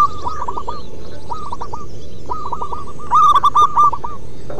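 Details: Local zebra dove chorus meant to stimulate other doves to sing: spaced, dropping coo notes from distant birds, then a loud, rich rolling phrase late on, over low steady noise.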